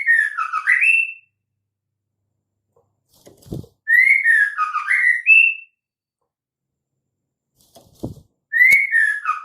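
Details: Female white-rumped shama call used to get males singing: repeated whistled phrases of rising and falling slurred notes, spaced by gaps of a few seconds, with soft tapping sounds between.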